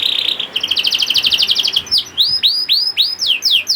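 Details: Young canary (kenari paud) singing to get hesitant canaries singing: a rapid buzzy trill of even pulses, followed by loud arched whistled notes repeated about twice a second.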